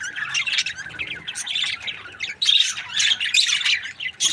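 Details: Several happy budgies chirp together, trading rapid warbled notes and harsh squawks in uneven bursts, with a brief lull midway before the chatter surges louder again.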